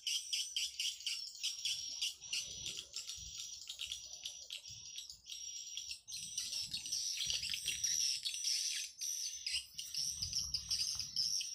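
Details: Played to attract swiftlets, an amplified swiftlet calling sound: continuous shrill chirping and ticking notes, crowded and rapid, with a sustained high whistle growing stronger toward the end over faint low thumps.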